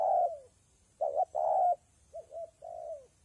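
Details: In rainy, windy weather a spotted dove gives a loud, falling coo, then two quick notes and a strong drawn-out coo, followed by softer, fainter two-part coos.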